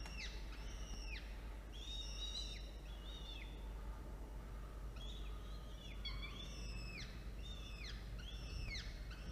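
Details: Two young falcon chicks being fed prey at the nest, early afternoon, 13 October 2022. Bursts of high, thin whistles that bend sharply downward come in clusters with short gaps, over a constant low rumble.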